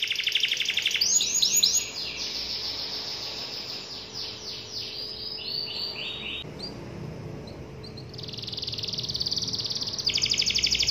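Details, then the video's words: Canary calling to a rival with loud song: a dry rattling trill, then a run of swooping repeated notes that slow and drop away, a quieter gap, and a renewed fast buzzing trill. "suara burung kenari gacor memanggil lawan"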